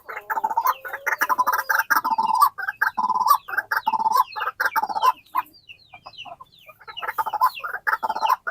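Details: A white-breasted waterhen, a kept bird calling actively at feeding time, gives loud, harsh croaking notes in rapid runs of about one a second, with brief pauses between bursts.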